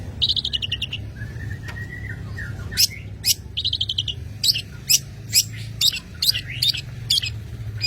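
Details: Long-tailed shrike (cendet) from Madura, singing energetically: bursts of rapid harsh chattering notes and buzzy high trills, a drawn-out slurred whistle early on, then scattered sharp chirps over a steady low hum.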